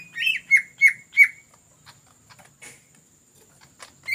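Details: Greater green leafbird in lively ngetrok song, used to lure other birds: one arched note and three sharp repeated notes within about a second, then near silence with faint clicks and a final loud note.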